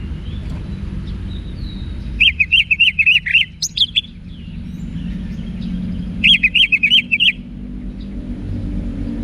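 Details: Orange-headed thrush (anis merah), a cage bird in Singaraja, Bali, giving two bursts of rapid warbled whistled notes about four seconds apart, each roughly a second long, over low background noise.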